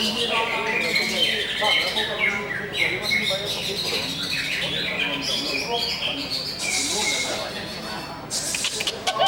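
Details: Greater green leafbird (cucak hijau) singing a dense, unbroken stream of bright chattering and whistled phrases, with quick high notes and buzzy bursts near the end.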